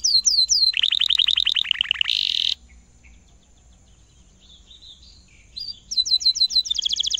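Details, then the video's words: Caged canary in long, energetic song used as a tutor for young canaries: rapid 'cuit cuit' chirps, a descending run of rolled notes, a buzzy burst, a pause, then fast repeated high chirping. "kenari gacor panjang cuit cuit ngerol lanjut nembak satu ini efektif buat masteran kenari paud"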